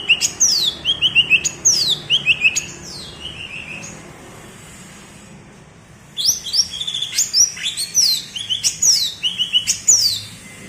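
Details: Bebeci song of a cucak ijo from Alas Purwo, Banyuwangi, a style sought by songbird fans: bright falling whistles each trailing into low clipped notes, three phrases, a pause of about two seconds, then a faster burst of repeated phrases.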